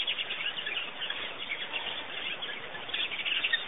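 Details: Birds at a pond in Botswana, Africa, produce a lively, continuous twittering of high, rapid chirps, slightly louder at the close.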